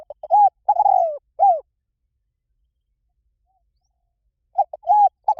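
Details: Spotted dove coos from a lure recording for wild doves. Quick stammered notes build into a drawn-out falling coo and a short arched one. After a long silence, the stuttering phrase begins again.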